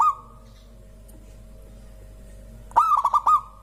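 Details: Local zebra dove singing; after a long pause, a burst of stuttering cooing notes with quick pulses leading into a drawn-out coo, over a steady low hum.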